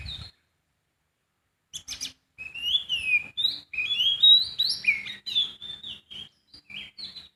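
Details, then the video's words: Free-living sooty-headed bulbul: a long, lively string of varied whistled notes, some gliding up and some dropping, delivered in quick uneven succession after a few brief harsh clicks. "Kicauan burung poci di alam bebas"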